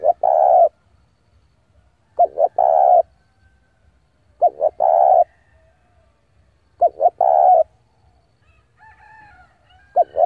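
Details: Caged decoy spotted dove calling wild males to come and fight, giving repeated coo phrases about every two and a half seconds, each two quick short notes then a long mellow coo, faint low rumble beneath.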